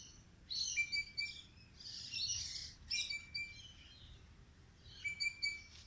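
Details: Bird song heard as high, tinkling chirps in short clusters, with a brief rushing noise between phrases and a low steady hiss throughout.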